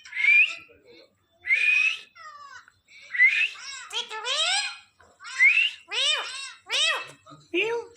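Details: A pet Indian ringneck parakeet that is trained to speak, producing a rapid string of high-pitched speech-like syllables with arching harmonic sweeps and short whistled notes, repeated in quick bursts.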